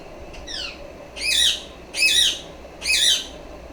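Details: A pet female rose-ringed parakeet gives three loud, harsh, high screeches about a second apart, after a fainter descending squawk.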